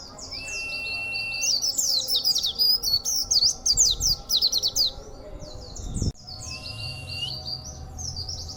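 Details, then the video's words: A local Oriental white-eye in a cage, delivering its rare, strange song in bursts: a thin whistle opens, then a loud run of rapid, high, jerky chirps, a sharp click, and softer twittering after. "Pleci Suara ANEH..!!! 10 tahun main pleci baru dapat sekarang | pleci Tembakannya bikin juri senang"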